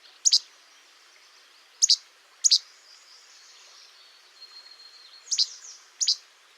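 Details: Least Flycatcher giving its innate two-note che-bek, mostly given by males in the breeding season in territorial and courtship contexts: five snappy high phrases at irregular intervals, faint thin tone behind.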